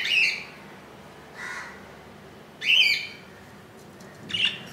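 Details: Newly hatched budgerigar chick, second day after hatching on 15 July 2018, in the nest; three harsh, raspy squawks about two seconds apart, with a softer lower call between them.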